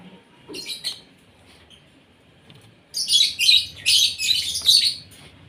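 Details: Asian pied starling fed at breakfast time to encourage vigorous singing; a couple of short scratchy notes, a pause, then a dense burst of loud harsh rasping chatter.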